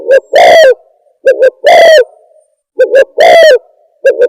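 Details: Lure call of the spotted dove for bird trapping. A pattern of double short coos and a stretched, falling main coo recurs about every 1.3 seconds, very loud and buzzy from distortion, with a clean background.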